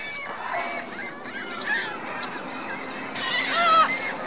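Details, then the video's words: Geese accompanied by goslings at a lake in Reno, Virginia Lake, call sparsely: soft arched honks over a low hum of background noise, and one louder, sharper note near the end. "Geese Goslings"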